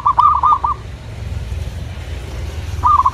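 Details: Local zebra dove singing: a short burst of quick pulsed cooing notes, a long pause filled with low rumbling background noise, then another burst beginning at the end.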